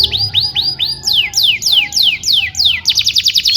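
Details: Canary song for training young birds to sing: a series of rising looped whistles, then descending swooping notes about three a second, closing in a quick high trill.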